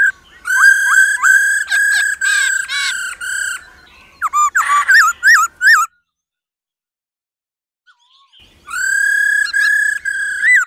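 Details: Female laughingthrush giving its 'ro ro' call to stimulate males to sing: long, rich, slightly buzzy whistled notes with rapid pulsing and short rising upslurs, a burst of varied notes, then a silence before another sustained pulsed note.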